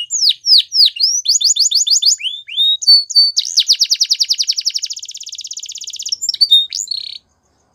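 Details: Varied canary song with quick swept chips and short repeated phrases, then a long, very rapid rattling trill that slows slightly, finishing with a few brief notes before silence.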